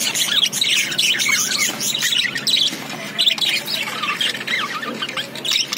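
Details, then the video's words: Budgerigars chirping in a dense, overlapping chatter of high, quick warbles and squeaky notes from several birds. Sharper squawks break through now and then over a continuous busy flock background. "Buggies chirping"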